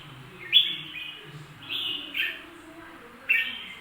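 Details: Bulbul song: short bright whistled phrases, slurred and warbling, in three bursts spaced about a second apart, with a faint low hum beneath.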